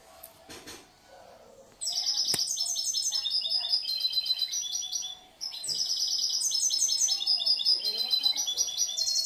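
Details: Caged European goldfinch, a young bird from last year kept for song, delivering a rapid, varied twittering song of bright high tinkling notes and buzzy trills in long phrases, after a short quiet start with a soft click.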